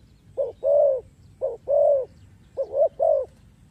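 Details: Spotted dove call used to lure birds into traps; short clipped coos alternating with longer drawn coos, three phrases in under four seconds, low mellow tone.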